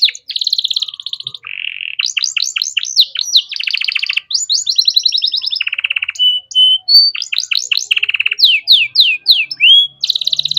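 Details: Canary song recorded as tutoring material for young songbirds, a continuous, varied stream of buzzy high trills, low rattling rolls, fast sweeping chirps and short whistled notes repeated through the phrase.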